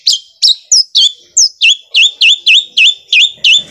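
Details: Long-tailed shrike in full song, its sewing-machine-like fast roll rendered as a brisk run of about twelve sharp whistled notes, each quickly dipping then rising, repeated roughly three times a second.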